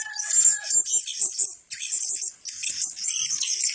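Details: Several fancy blue-crowned hanging parrots, all males, calling together: dense, high-pitched squeaky chatter and thin twitters with no gaps, broken by a short pause partway through.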